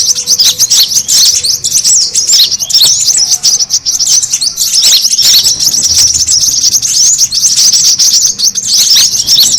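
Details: Noisy lure call of the brown-throated sunbird for attracting birds. Nearly ten seconds of unbroken, high-pitched chattering and squeaky chirps, rapid and crowded, staying steady in loudness throughout.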